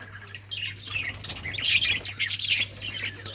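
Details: Budgerigars playing, recorded June 17, 2023: a busy run of high, scratchy chirps and short warbles in bursts, loudest midway, over a steady low electrical hum.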